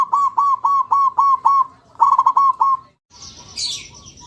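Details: Zebra dove song: a quick run of about ten soft, rounded cooing notes on one low pitch, broken briefly midway, then a short burst of hissy higher-pitched noise at the end.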